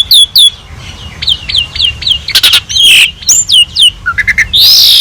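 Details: Asian pied starling singing a gacor master song with rich fill-ins, meant to tutor other birds: a run of repeated downslurred whistled notes, then sharp buzzy bursts, rising chirps and a harsh burst at the end.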